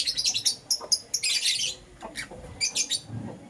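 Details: Green Personata and yellow pastel pied lovebirds chirp in the morning, pouring out fast, piercing tweets and a buzzy scratchy burst, followed by quicker clipped chirps in an uneven chatter.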